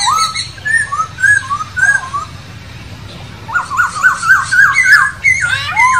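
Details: Masked laughingthrush in the wild: loud whistled phrases of short slurred notes, rising and falling, a sparse opening then a faster run of bright repeated notes near the end, with faint higher overtones.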